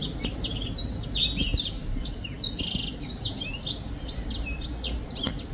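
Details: Singing black-throated finch, 2023: a dense, continuous run of high, quick descending chirps and short slurred notes with almost no gaps. A low background hum continues throughout.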